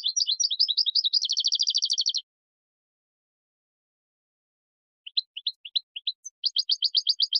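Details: European goldfinch singing, used for teaching young goldfinches. Fast twittering phrases of high chirps, then a dense rapid trill, a pause of nearly three seconds, then scattered single notes that build into another quick trill.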